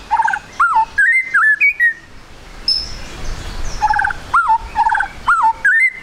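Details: White-rumped shama song used as a lure for quick singing: clear mid-pitched whistled notes, some bending up and others falling, in short groups separated by a quieter pause.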